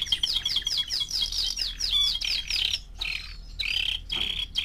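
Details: Four-month-old young canary (Serinus canaria) singing a fast run of bright, high repeated notes in quick trills and rolling phrases, with brief pauses between bursts.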